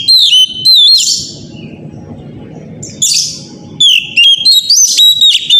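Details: Oriental magpie-robin (kacer) in the morning, loud 'gacor' song used as a lure to set other magpie-robins singing; bright whistled phrases with rising and falling sweeps, a brief pause, then a quick string of short sharp notes over a low background rumble.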